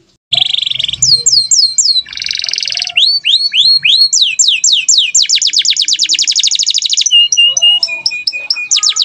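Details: Domestic canary in full, energetic song used as a training recording for other birds: rapid varied phrases of buzzy trills, fast descending whistled sweeps and long ringing rattles, repeated several times a second, loud and continuous.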